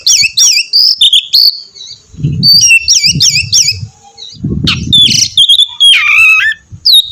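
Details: Oriental magpie-robin sings to prompt another bird to join in, producing repeated up-down whistled figures, sharp notes and a harsh descending phrase, accompanied by low rumbling bumps.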